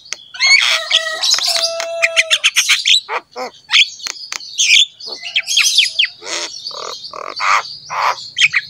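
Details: Black-winged myna in vigorous song meant for training pet mynas: a dense run of harsh, scratchy squawks, clicks and chattering notes mixed with short flat whistles and a steady tone, nearly continuous throughout.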